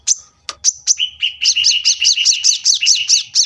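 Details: Brown-throated sunbird singing gacor, masteran training recording for cage birds: a few separate high chirps open into a fast rolling phrase of doubled notes, a high and a lower tone alternating steadily.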